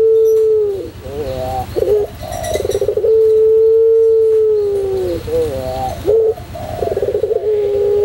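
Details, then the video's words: Pelung-style cooing of a white Barbary dove performing for a tutor recording: fluttering trilled phrases lead into a sustained even coo lasting about two seconds, then more rippling trills and short coos. "masteran puter pelung putih manggung"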